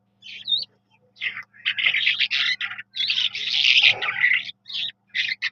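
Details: Eurasian skylark, locally called Jal Mashadi, singing a rapid, buzzy, chattering warble of high trilled phrases in short bursts broken by brief pauses, with a faint steady low hum beneath.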